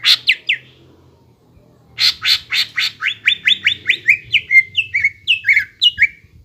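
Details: A greater green leafbird's lively song, meant as a lure to get young birds singing: three quick down-slurred notes, a pause, then harsh rasping bursts leading into a rapid run of descending whistled slurs.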